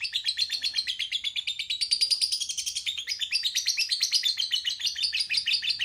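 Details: Lovebird song of rapid, buzzy twittering notes that climb slightly higher midway and then settle back, delivered in an unbroken, busy stream.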